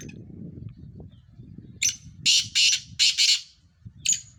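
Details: Low rumbling background gives way to a black francolin's loud series of five or six harsh, scratchy bursts, closing with a single short grating note.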